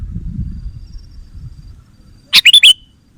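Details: Lure call of a sooty-headed bulbul, played to draw in wild birds: a single brisk burst of four rapid, sharp chirping notes ending in a slurred tail, after quiet low rumble.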